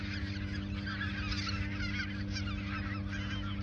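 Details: Many geese calling at the Ochsenmoor nature reserve in autumn 2022, just before migration south; overlapping honks and higher yelps rise and fall, with a steady hum beneath.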